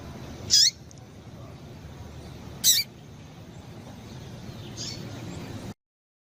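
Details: Female Double-collared Seedeater call, used to stimulate males to sing, giving two sharp, high, buzzy notes about two seconds apart, then a fainter third, over a steady low hiss.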